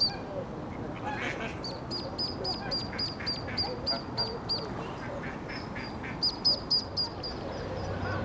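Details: A family of baby ducks exploring with their mother at Iffley Lock on the River Thames, Oxford. Sharp, high-pitched squeaks come in quick runs of about three per second, pausing, then resuming as a brisk cluster near the end, over a soft outdoor background.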